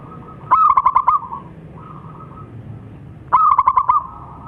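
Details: Local zebra dove, described as a lively singer, giving two bursts of rapid pulsed cooing notes, each a quick stuttered series of about six beats near one pitch, with softer drawn-out coos between and a low background hum.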